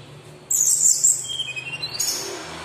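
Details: Local Sumatran laughingthrush in full song, used to challenge rival birds: two loud, harsh, very high bursts of chattering, the second following a short falling whistle, over a faint low hum.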